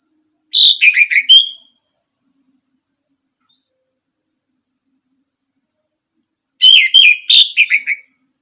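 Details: Orange-headed thrush tutor song for training other birds: two short, bright, jumbled whistled phrases about six seconds apart, each around a second long, with sharp chipping notes. Long silence between, plus a faint steady high-pitched whine.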